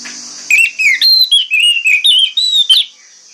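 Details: Orange-headed thrush in morning song, used as a lure so other thrushes answer. A steady sequence of clear whistled notes, mostly level or gently falling, about ten phrases, over a constant high background hiss.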